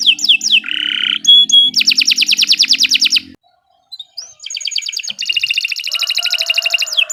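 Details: Canary singing in a training recording for beginner songbirds: quick whistled notes and a lower buzzy tone, then a dense high trill, a brief silence, and another long rolling trill ending in a slurred note.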